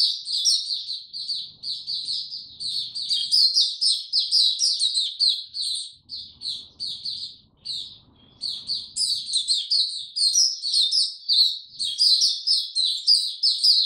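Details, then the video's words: Caged white-eye singing in warm, very humid weather: a continuous, rapid stream of high, twittering chirps and trills, densely packed with brief pauses near six and eight seconds. "Mata Puteh Hercules buka sing warm n very humid weather"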